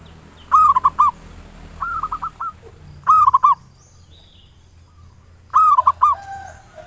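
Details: Ngayer nulop lure singing by a local zebra dove, used to provoke song. Four phrases of rapid, clipped cooing notes come every one and a half to two and a half seconds, one of them softer, over a quiet hum.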